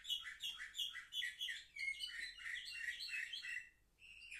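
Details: Young canaries aged seven months, recorded 10 November 2023, singing evenly repeated two-part chirping notes that speed into a fast rolling trill, then fall briefly quiet.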